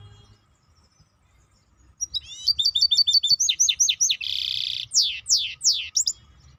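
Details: Maestro bird singing: after two seconds of quiet, a run of high, sharp, repeated chirped notes, then a half-second buzzy rattle, followed by sweeping downslurred whistles.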